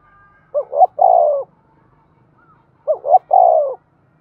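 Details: Excited 'thúc' cooing of a spotted dove meant to stimulate decoy birds: two phrases, each two clipped rising hoots followed by a longer falling coo, spaced about two seconds apart over a quiet background.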